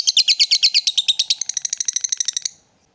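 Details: Excited lovebird provoked to call, chattering in ngekek style: about ten strong, harsh notes that then quicken into thinner, faster clicks before stopping abruptly after two and a half seconds, followed by silence.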